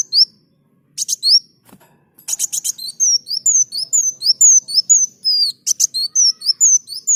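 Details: Sunbird singing vigorously as a master recording for training other birds: a few buzzy chirps, then a steady run of high, thin, slurred whistles that bend up and down, about two per second, with short buzzy bursts between.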